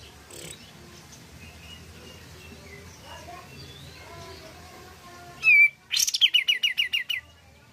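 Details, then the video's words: Malaysian pied fantail, a strong singer used to lure other pied fantails into calling: after faint background chirps, a loud sweeping whistle, then a fast run of about a dozen sharp, evenly spaced squeaky notes. "Suara Kapas Tembak Gacor ampuh memancing bunyi kapas tembak lain"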